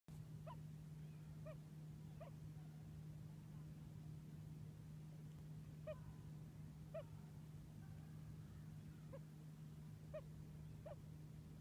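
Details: On September 10, 2015 on Squam Lake, New Hampshire, a Common Loon gives its hoot call: short, soft, mellow hoots, about ten single notes at uneven intervals, over a steady low motor-like hum.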